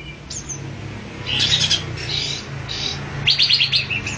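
Olive-winged bulbul giving bright, chirpy calls in short bursts, ending in a quick run of five or six rapid notes, over a faint low hum.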